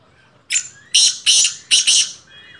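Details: Black francolin in its first season gives a harsh, grating call of five rasping, high-pitched bursts in quick succession, with the last two notes nearly joined, against a quiet background.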